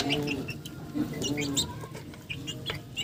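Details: Farmyard chickens give brief flat clucks and a few held tones, with bright chirps from other birds overlapping throughout.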